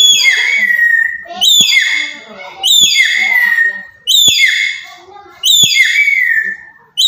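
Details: Black-capped lory from Papua giving loud calls used to provoke other birds: harsh, strident screeches with many harmonics, each dropping in pitch, repeated about every 1.3 seconds, with a softer voice-like sound between them.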